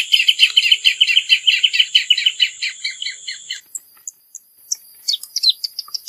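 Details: Rufous hornero song: a fast, rattling run of loud, evenly spaced chattering notes lasting about three and a half seconds, followed by scattered, higher, thin single chirps.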